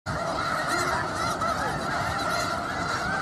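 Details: Huge flock of snow geese in Skagit County, Washington, heard up close: a dense, unbroken din of countless overlapping honks and yelps, steady throughout with no gaps.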